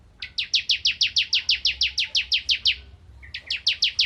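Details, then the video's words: Ciblek kristal, the bar-winged prinia, in full song for training magpie-robins: about fifteen bright, quickly repeated downslurred notes, a short gap, then a fresh burst starting. "Burung Ciblek Kristal Gacor Untuk Masteran Murai Batu"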